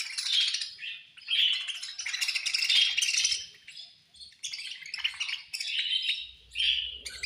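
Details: Several budgerigars chirping during feeding: bright rapid twittering and warbled chatter, rising and falling in intensity, with rattly clicks and a faint low hum near the end.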